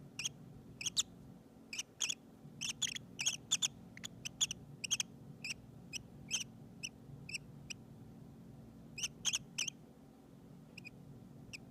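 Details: Lovebird babies making soft sounds before falling asleep in a nursery: brief high chirps and squeaks, scattered singly and in small clusters, over a low steady hum.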